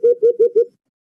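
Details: Short burst from a white-eared brown dove (alimokon) used for luring birds to traps: four soft, hollow hoots delivered in quick succession, each slightly rising, then silence.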